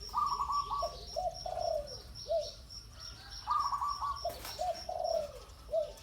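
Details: Spotted dove kept for ground decoy luring repeats its cooing phrase twice: a quick rolling burst, then drawn-out falling coos. A steady high insect pulse runs throughout, and there is a brief rustle near the middle.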